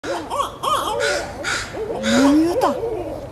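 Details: Barred Owl at Minoru Park, Richmond, BC, Canada, 9 May 2012: a rapid run of arched, wailing hoots that swoop up and down, with people talking nearby.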